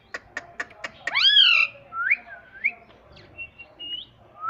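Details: Talking pet ringneck parrot that says "Mummy": after a run of quick clicks, one loud, bending, harmonic call, followed by several shorter rising whistles and thin whistled notes.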